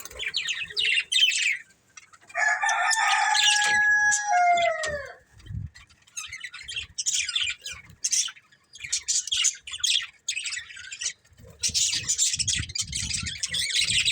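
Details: Breeding pair of budgerigars chattering in scratchy high bursts. A clear drawn-out call slides downward in pitch midway, then steady chirping runs resume alongside soft low thumps.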